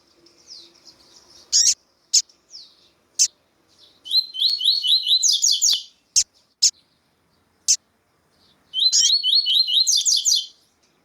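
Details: Double-collared seedeater (Sporophila caerulescens), male with a calling female, gives two bursts of quick, bright repeated warbled notes, each about two seconds long, mixed with sharp single chip calls.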